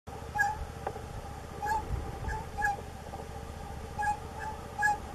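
A plush-crested jay gives loud, ringing, slightly nasal mid-pitched notes in irregular bursts about once a second, over a low background rumble.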